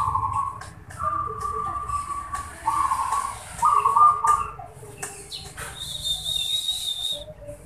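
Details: Kept zebra dove singing: rough, burry trilled coos in short bursts over a low background rumble, with a brief clipped voice, clicks, and a thin, high, steady whistle near the end.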